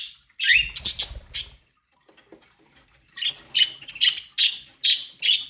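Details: Budgerigars kept as pets chirp while eating corn: a short sharp cluster first, then after a pause a steady series of clipped high chirps about twice per second.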